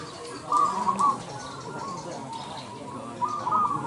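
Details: Zebra dove (perkutut) song from an Indonesian singing competition: two short bubbly coo phrases, one near the start and one near the end, separated by quieter background cooing.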